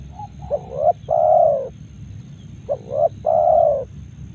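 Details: Spotted dove recorded in Karawang repeating its cooing phrase twice: soft rising lead-in notes, then a full, drawn-out coo each time, about two seconds apart, over a low background hum.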